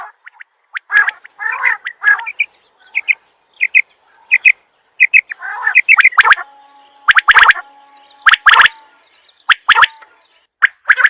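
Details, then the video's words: Quail calling: short high tonal notes in quick pairs and triplets, mixed with raspy bursts, then sharp, clicky, broadband triple notes repeated at irregular intervals through the second half. "Batair Ki Awaz"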